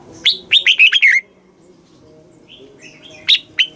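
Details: Caged red-whiskered bulbul in southern master-style song, used to rouse caged birds and train young; one fast phrase of six bright, falling whistled notes, then quiet, faint high notes and two short final chirps.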